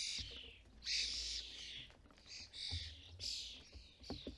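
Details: Loud wheezy screeching from European starlings at a UK bird feeder where parents feed fledglings, in several sustained rasping bursts with a soft low knock or two underneath.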